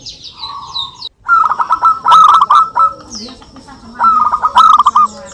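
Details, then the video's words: Local zebra doves singing back and forth for use as a lure: two runs of fast, bubbling coo notes, joined by thin high chirps and a brief soft lower call between them. "perkutut lokal gacor suara saling saut cocok untuk pancingan"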